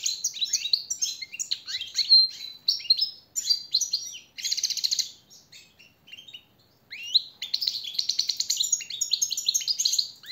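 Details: Goldfinch teaching song for caged birds: fast chattering twitters and trills with two buzzy rattling passages, a short lull midway, then lively twittering again.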